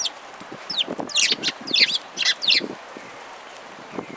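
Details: Sparrows recorded on 11 March 2022 at a bridge over water, giving a quick run of sharp, descending chirps in clustered bursts over the first three seconds, then quieter, with soft background noise.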